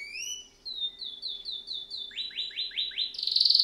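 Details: Canary song opening with paired whistled notes, then evenly spaced falling slurs repeated about four times a second, shifting lower, and closing with a harsh rapid trill; faint background hum.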